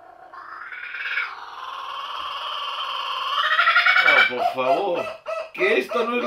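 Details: A kookaburra wakes a household in the morning like an alarm clock: a rolling, rapid chuckle builds for several seconds into loud, choppy, descending laughing notes. A person's voice overlaps near the end.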